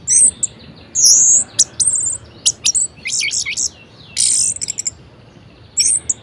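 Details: Varied song of a caged orange-headed thrush used to spur reluctant birds: dense bursts of high piercing whistles and harsh buzzy notes, fast mimicking phrases separated by short pauses.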